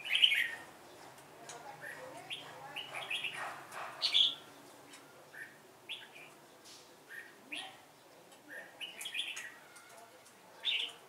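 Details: Decoy red-whiskered bulbul heard fairly quietly, giving scattered short whistled and slurred notes spaced over several seconds, with one louder burst at the start and at the end.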